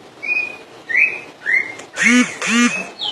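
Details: Common iora in Indonesia singing 'full dor': three clear upslurred whistles near the same pitch, about every 0.6 seconds, then two harsh, nasal, buzzy notes and a short closing whistle.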